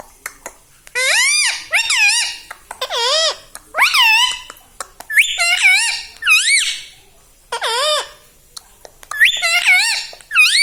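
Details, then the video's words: Pet parrot talking indoors, said to repeat "mummy papa" and "mithu"; a loud series of squeaky, harmonic syllables that rise and fall, delivered in short bursts of one or two notes with brief pauses between them. "मम्मी-पापा बोलता तोता"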